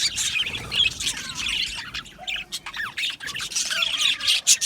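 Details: Aviary of budgerigars: loud squawky chirps and short warbling phrases from several birds, broken by brief pauses and sharp clicks, over constant high chatter.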